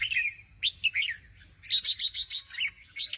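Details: Sooty-headed bulbul singing in a lively, chattering burst: bubbly whistled phrases dipping and rising, then a quick run of bright repeated notes near the end.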